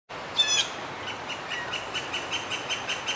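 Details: At Dufferin Islands, blue jays call to one another: one harsh, raspy scream, then a quick run of short, high, evenly spaced notes, about four a second. Light background hiss.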